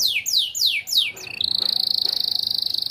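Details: Yellow AF canary, described as a lively singer, delivers four loud, steeply falling swept notes about a quarter second apart, then holds a long, rapid, even trill on one high pitch.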